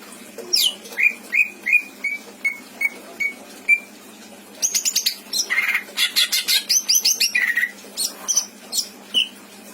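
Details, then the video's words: Captive greater green leafbird, a pet in Indramayu with a rich repertoire of mimicked fill-in phrases, singing: a run of seven clear descending whistled notes about half a second apart, then dense bursts of rasping, buzzy chatter mixed with sharp whistles. "Burung cucak ijo isian mantap!!!"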